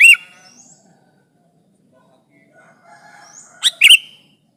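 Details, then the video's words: Sooty-headed bulbul in lively voice, used as a trapping lure to press a rival: a harsh, loud chirp burst opens, faint soft whistles follow, then a sharp double burst near the end. "Suara burung kutilang gacor menekan lawan, pancingan pikat kutilang ribut & kutilang diam"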